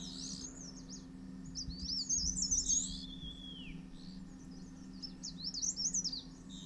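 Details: A male Dark Grey Bush Chat (Saxicola ferreus), nesting in a hillside earth bank in the Himalaya and feeding its chicks, gives thin, high twittering chirps in rapid bursts with one falling whistle midway, over a steady low hum.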